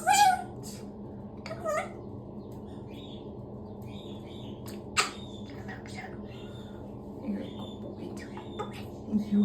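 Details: A pet male galah, moulting and happy after his shower, talks in scratchy speech-like bursts, mimicking the short repeated phrase "big wings" while a woman speaks to him, with a constant low hum behind.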